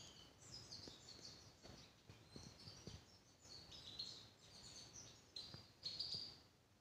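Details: Grey-crowned goldfinch singing, 2023: continuous quick twittering of high tinkling notes and brief trills, with soft low knocks and clicks scattered underneath throughout.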